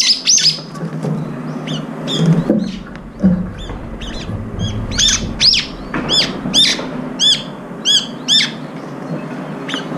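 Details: Brown-eared bulbuls squabbling over food, one lame in its left foot and slipping on a perch. Series of sharp arched chirps, roughly two per second in the second half, with soft background noise.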